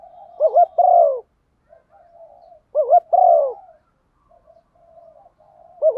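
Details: Lure spotted dove singing in mixed 'thổ' and 'thúc đấu' voice to bring wild doves in fast: two low hoarse phrases about two seconds apart, each a doubled stutter and a drawn-out descending coo, with faint murmuring coos between.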